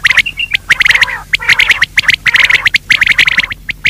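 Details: Quail daytime luring sound: dense, loud bursts of sharp high chirps and squawks, nearly continuous, with a few short breaks.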